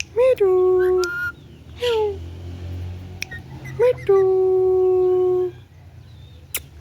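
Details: Talking pet green ringneck parrot giving drawn-out, voice-like harmonic utterances: a swooping syllable held steadily for about a second, a brief downward-sliding sound, then a longer sustained word-like phrase, with faint clicks between.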